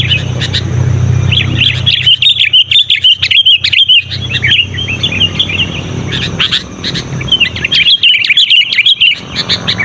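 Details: Loud, insistent sooty-headed bulbul used as a lure for wild bulbuls and as a tutor for caged birds. It gives long runs of rapid, bubbly chirping notes in two main bursts, with clicking and a low hum behind.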